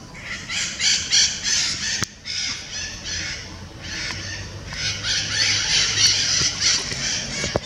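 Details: Parakeets in São Paulo, Brazil, screeching in a harsh, raspy flock chorus, with overlapping squawks several times a second and a few brief pauses.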